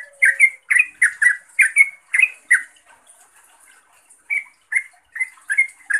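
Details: Yellow-vented bulbul calling for a rival or companion. Rapid bubbly chirps come in a quick cluster, then a near-silent pause, then spaced single chirps resume toward the end.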